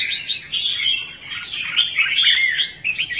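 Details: Red-whiskered bulbul 'hót ché' fighting song, a trapping lure. A short run of rapid, bright chattering notes blending into a steady warble.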